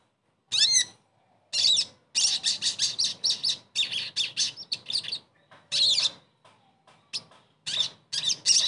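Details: A Crested Jay, a pet bird played to coax a silent jay back into song, gives loud, high, harsh chattering bursts in quick runs of rattling notes, broken by short pauses.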